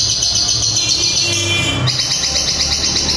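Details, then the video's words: Lovebird giving its long ngekek trill: a loud, close, dense high rattling chatter that runs unbroken throughout, briefly shifting in tone partway before carrying on just as fast. "suara Lovebird ngekek panjang"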